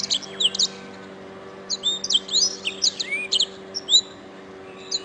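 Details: Canary master recording for training other birds to sing: scattered high chirps and short twitters with gaps between, one lower sliding whistle, over a steady low electrical hum.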